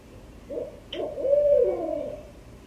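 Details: A Barred Owl calls at 3am in Roland Park, Baltimore, Maryland: a short series of low, mellow hoots ending in a drawn-out, slightly descending note; a brief sharp click is heard near the start.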